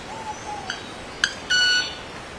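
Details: A male club-winged manakin sounds its wings: a couple of clicks, then a loud, pure, buzzy-bright tone with stacked overtones, held briefly. A faint falling whistle is heard at the start, against a background hiss.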